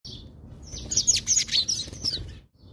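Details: House sparrows at a feeder in South Africa: a busy cluster of high, rapid chirps and twitters, overlapping and uneven, with some wing flutter, fading out near the end.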